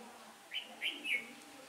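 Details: Decoy red-whiskered bulbul singing during trapping on a windy-change day, 15 October 2017: three quick clear whistled notes in a rising-and-falling run, against a quiet background.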